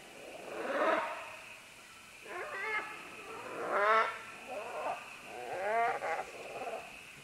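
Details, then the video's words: Green-winged macaws, several of them climbing down along vines, trade a run of four or five hoarse, strained squawks spaced roughly every second or two. Each call wavers in pitch, against a faint steady background hum. "Green-Winged Macaw. MCU - MD Calls From Several As They Descend Along Vines To"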